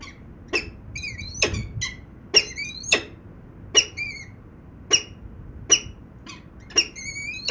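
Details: Peregrine falcons at Venlo in the Netherlands, 19 February 2021 at 14:50: about a dozen harsh, clipped calls, some with upturned chattering tails, repeated roughly every half second, over low background hum.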